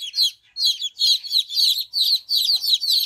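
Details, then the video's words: Several chicks with a mother hen, roaming freely while playing and eating, cheep steadily in loud high-pitched overlapping bursts, nearly continuous after a short opening gap, with no other clear sounds. "cute hen baby with mother hen"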